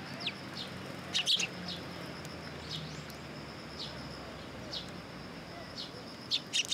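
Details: Several sparrows visiting a Tenmangu shrine for food at first light, 18 September 2022; scattered high chirps throughout, with loud clustered twittering near the start and end, over low ambient rumble.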